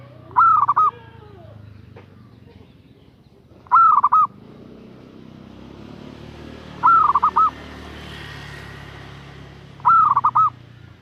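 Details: Female zebra dove calling for a male, repeating a short phrase roughly every three seconds: a long note, then a few fast clipped notes. A steady low hum and hiss run underneath.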